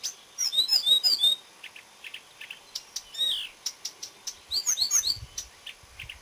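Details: Marsh warbler song recorded 30 May 2010, a fast varied run of bright slurred whistles and squeaky trills, then quick clusters of short high ticking notes and another sweeping whistled phrase.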